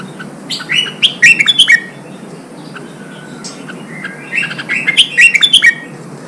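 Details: Red-whiskered bulbul in Vietnam, song for stimulating wild-caught birds to fight and open their voice: a loud warbled phrase of quick liquid notes, a thin faint whistle, then a second similar rolling phrase repeated.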